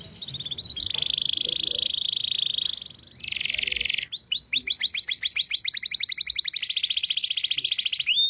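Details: Clear training recording of White-rumped shama song: long buzzy trills held steady, a brief pause, then a sequence of quick upswept whistles speeding into a rapid, high rattle with a final sharp whistle.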